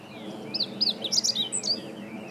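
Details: Singing meadow bunting, 20 March 2015: a rapid phrase of sharp, high, bright notes tumbling together over about a second, with fainter twittering of other birds behind a low steady murmur.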